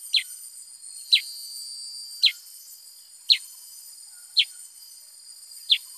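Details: Black-headed bulbul gives six crisp descending chirps at roughly one-second intervals; a constant thin, high hiss runs underneath.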